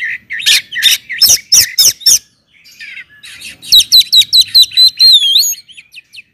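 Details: Kacer, the Oriental magpie-robin, singing loudly to provoke others: a string of about six harsh, rasping bursts, a pause, then rapid repeated whistled notes ending in rising sweeps.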